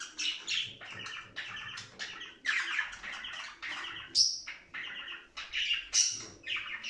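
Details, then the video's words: Budgerigar warbling, a recording for stimulating budgies to play and mate: steady, busy chatter of grating notes with two shrill high squeaks standing out. "صوت تغريد لتنشيط طائر البادجي علي اللعب والهيجان والتغريد والتزاوج"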